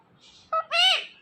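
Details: Ringneck parrot kept as a pet mimics speech, giving a soft breathy lead-in, a sharp short syllable and a sustained, bright, nasal-sounding second syllable in a quiet room.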